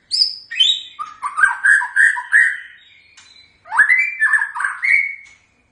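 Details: White-rumped shama giving its typical song: a high sliding whistle opening into a fast series of rich fluty notes, a brief pause, then another burst of rising whistled phrases.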